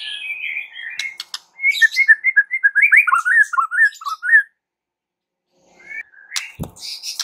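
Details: White-rumped shama song meant to provoke other shamas into singing: a rapid, fluid series of rising and falling whistled phrases for about three seconds, then a pause and a few faint high notes.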